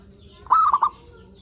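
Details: A single zebra dove phrase from a lure recording for stimulating other zebra doves: a quick bright coo broken into three rapid beats, lasting under half a second.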